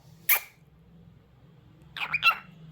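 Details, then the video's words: Pet cockatiel indoors giving a sharp single chirp, then after a pause a quick pair of short harmonic chirps with a faint steady hum underneath. "Adorable Cockatiel Cute Singing Sounds"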